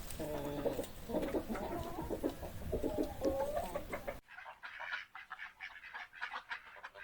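A chicken clucks in quick, throaty bursts of low harmonic notes, about two per second. The sound then cuts abruptly to a higher, scratchier calling.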